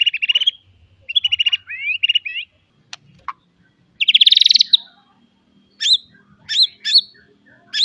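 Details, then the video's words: Full-fill white-rumped shama song for training young birds: short buzzy note bursts, a loud rapid trill, sharp clicks and scattered high whistled notes, with a faint low hum. "Kicau Murai batu full isian, cocok buat pancingan masteran Murai bahan agar cepat bunyi & gacor."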